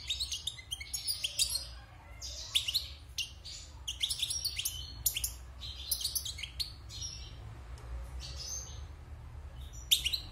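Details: European goldfinch, a wild bird kept six months in a cage after moulting, sings a long, lively twittering song of rapid high chirps, tinkling trills and buzzy notes in bursts over a faint low hum.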